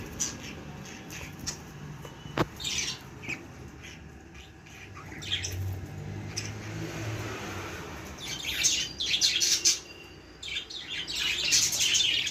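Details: Baby budgerigars calling in scattered sharp chirps, then livelier clusters of high twittering toward the end, with a faint background hum and one sharp click.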